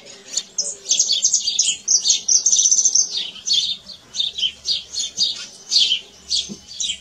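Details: Canary singing in nature: a dense, high-pitched warbling song of fast trills, chirps and sustained whistled rolls, delivered almost without pause. Faint low sounds lie underneath.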